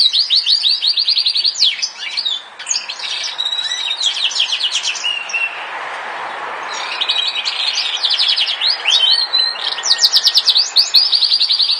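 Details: Yorkshire canary singing repeated high chirped trills and varied phrases over steady background hiss, with a quieter gap midway before bright trills resume.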